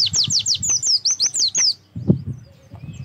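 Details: Lure song of an Oriental white-eye, played to prompt other white-eyes to sing: a quick string of high, thin descending whistles for under two seconds, ending in faint low thumps.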